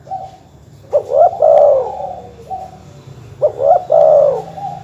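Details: Two matching dove coo phrases, played to incite rival birds, about two and a half seconds apart. Each opens with quick rising notes and ends in a drawn-out mellow coo, with quieter notes between.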